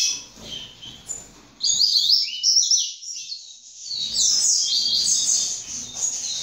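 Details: Juvenile double-collared seedeater of second generation: quiet at first, then a run of rapid, high twittering phrases, a brief break, and a longer sustained chattering stretch to the end.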